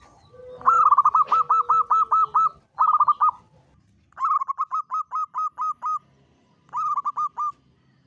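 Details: Long Mataram-style 'kuk 7' song of a local zebra dove, played as a trapping lure: rapid bursts of evenly spaced staccato coos, about eight notes per burst, repeated in three phrases separated by short pauses.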